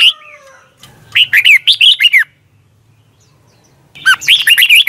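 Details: Red-whiskered bulbul in competition song for training: a brief whistle, then a run of rapid fluty, looping notes, a silent gap of nearly two seconds, and another lively burst of warbled whistles.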